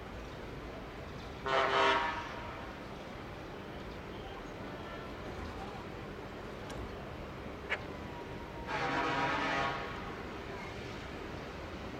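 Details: Two short vehicle horn toots over steady background hum, with no clear animal voice.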